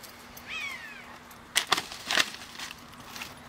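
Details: A Patagonian sierra finch feeding on larch seeds and flowers in Coyhaique gives one brief, high, down-slurred call, followed by a few sharp rustling or snapping noises.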